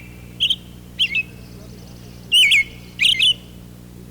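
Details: An American robin perched high in an oak tree in spring sings short, wavering whistled "cheerily, cheer up" phrases, four quick caroling notes with brief pauses between them, over a faint low hum.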